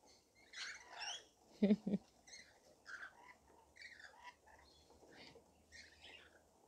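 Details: Rainbow lorikeets in a feeding frenzy while being fed give harsh, raspy screeches in short overlapping bursts, several per second; a couple of low, dull thumps break in near the start.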